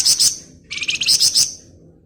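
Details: Golden-bellied gerygone singing in the rapid ngebren style: two quick high chirps, then a dense, buzzy, high-pitched trill of fast pulses lasting about a second, against a quiet background.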